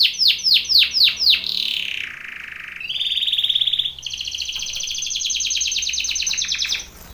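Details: Belgian canary training song: quick downward swept notes, a lower buzzy held phrase, then a bright rapid trill and a long, fast, evenly pulsed rolling trill lasting about three seconds; no other sounds.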